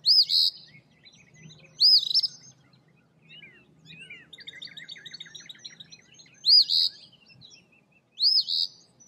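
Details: Eastern Phoebe recorded on March 14, 2024, giving four loud, raspy, arched high notes at uneven intervals, with a softer stuttering chatter between them. A faint low hum runs underneath.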